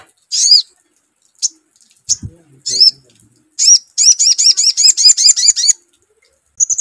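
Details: High chirps from a sogon, then a fast run of about ten repeated upswept whistled notes, played as a lure to make a bird sing.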